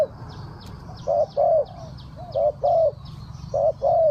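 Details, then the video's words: Spotted dove decoy luring wild doves, in the Thai three-kuk hanging pattern: a short coo then a drawn-out rounded coo, paired and repeated roughly every second, over a low rural hum with faint high chirps. "เสียงนกเขาใหญ่ 3กุกห้อย เรียกลงกุก2กุก"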